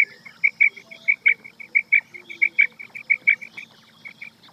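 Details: Night call of the rain quail (batair), kept as a hunting lure: a rapid, even string of short clear piping notes, some louder than others, repeated steadily, with a faint hum underneath.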